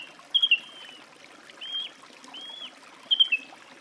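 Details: Song thrush delivering drawn-out, level whistles that slur slightly downward, some with a quick doubled start, spaced over a few seconds above a gentle trickling background.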